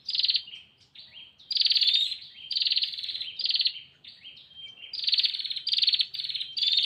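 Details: Female bar-winged prinia calling to the male, chattering energetically: loud buzzy bursts of rapid ticking notes, each about half a second long, alternating with short thin whistled slurs. No other sounds stand out.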